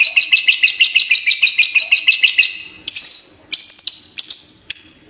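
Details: Fighter lovebird giving its long ngekek trilling song: a rapid run of strident, regularly repeated chattering notes for nearly three seconds, then separated loud shrill bursts.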